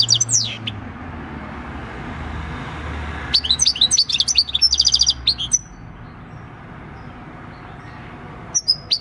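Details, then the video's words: Six-year-old field-caught European goldfinch singing its wild countryside song, recorded 26 December 2019; a brief opening phrase, then a fast run of bright chirps and buzzy trills, a pause, and a final short note. "Jilguero campero "EL CARBONERO" / Chant du chardonneret / Goldfinch song"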